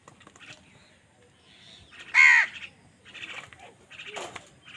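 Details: A single loud, hoarse caw rises above faint background chatter and softer calls as crows tussle with other birds for food.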